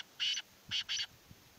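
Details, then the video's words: Black francolin, known locally as Sindhi teetar, giving harsh, grating call notes: one longer rasping note, a pause, then two quick notes in close succession, over a steady hiss. "Sindhi Teetar Ki Awaz - سندھی تیتر کی آواز"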